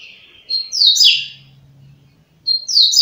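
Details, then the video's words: One complete burst of coleiro 'flash' song, the style said to reach 30 songs in a minute: a thin whistle sliding into a bright, buzzy descending flourish, then the next phrase beginning, over a faint low hum. "COLEIRO FLASH 30 CANTOS EM 1 MINUTO"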